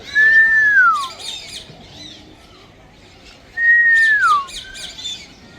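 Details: Grey parrot giving two long, pure whistles that hold steady and then glide smoothly downward, spaced about three seconds apart, with faint higher chatter in the background.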